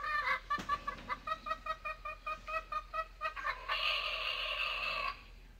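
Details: Rooster heard in the morning, starting with a steady train of short clucks, about three per second, that build into a loud, sustained, rough crow held for over a second.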